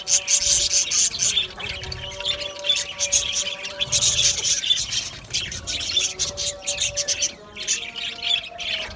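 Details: Colony of Australian budgies in an aviary, many birds chattering at once: dense, scratchy high chirps and warbles in rapid bursts, with brief lulls near two and seven seconds, over a faint steady low tone.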